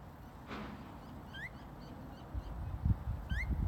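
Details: Phainopepla pair, a female and a male chattering softly on a rainy day along the Rillito River in Tucson, Arizona: two short rising, upslurred notes well apart, over a steady wash of low rain and background rumble.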